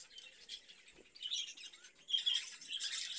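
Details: Budgerigars in a cage chatter in grating, buzzy twitters that swell in two louder waves, with a faint rustle partway through.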